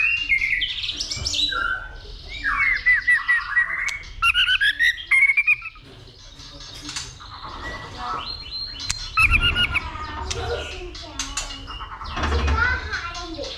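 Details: White-rumped shama fighting song prompted by a female, with continuous clicking and tail-flicking: fast whistled phrases in the first half, then quieter, scattered notes over a rough background noise.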